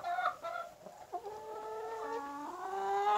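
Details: Indonesian black-skinned rooster with his chicken flock gives a series of drawn-out harmonic calls. Short notes open the sequence, then long steady tones slide down and level off, growing louder toward the end.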